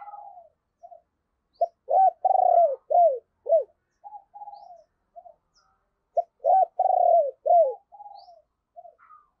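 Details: Spotted dove kept as a decoy, 'sấm bầu' deep-voiced: two full cooing phrases, each of sharp rising notes, a long rolling coo and falling notes, then soft trailing coos, about four seconds apart.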